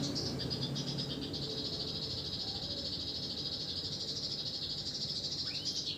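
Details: Kept canary, a tutor bird for training songbirds, singing energetically at night: a continuous rapid high trill held steady for six seconds, ending in a quick rising-then-falling swoop, with a low background hum.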